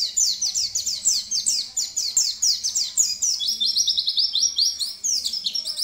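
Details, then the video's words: Pleci, the oriental white-eye, in rapid gacor song: unbroken bright twittering of steep falling slurs, packed closely, shifting midway to a lower, evenly repeated series of short chirps, with faint low background hum. "pleci bukpar gacor"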